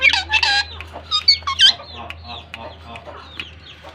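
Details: A pair of pet rose-ringed parakeets (Pakistan ringnecks) chatter to each other in harsh, high squawks and chirps, several bursts a second at first, then softer scratchy notes trailing off.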